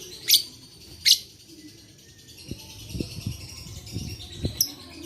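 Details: Lovebird recorded as playback to rouse silent lovebirds; two sharp, shrill screeches early on, then quieter chatter with a series of low knocking thuds.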